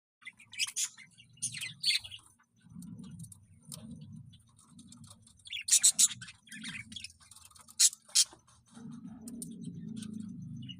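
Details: Breeding Budgerigars give bursts of sharp, high chirps and scratchy chatter in clusters, with a low rumbling hum underneath.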